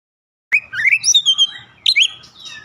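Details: Oriental magpie-robin song used as a lure to set other magpie-robins of any age singing. Two rich bursts of whistles: a rising note into rolling warbled phrases, then a sharp high whistle sliding down into a long falling tone.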